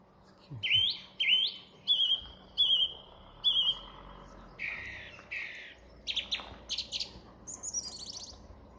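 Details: Song thrush at Thoralby, 2 June 2020, running through its whole repertoire: clear whistled phrases, each repeated two or three times before switching to new, varied notes, in a quick, bright delivery.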